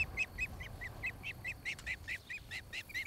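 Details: Osprey calling at its nest in Charlo, Montana, 26 July 2018, recorded by a nest cam near a great horned owl family's trees: a continuous fast series of loud, clipped whistles, about four per second, with faint wind below.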